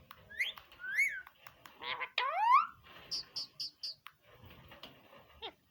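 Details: Green parrot said to be talking, giving arched whistled notes, a long upward-sweeping nasal syllable, then a quick series of four short high chirps followed by quieter murmured sounds and a falling squeak.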